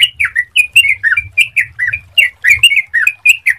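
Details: Sooty-headed bulbul song played as a lure to get other bulbuls singing quickly: a fast, chattering run of short warbled notes that rise and fall, about four per second, clear and without pause.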